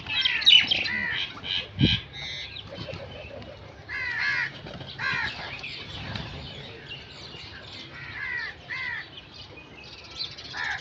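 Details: Several crows cawing: rough, nasal calls repeated in irregular runs, about three per second at times, with a low thump early on and quiet gaps between bouts.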